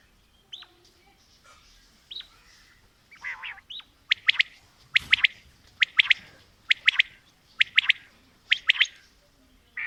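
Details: Female and male quail (batair) calling together: short, sharp, high notes, often doubled, repeated about once a second, with softer, higher chirps early on.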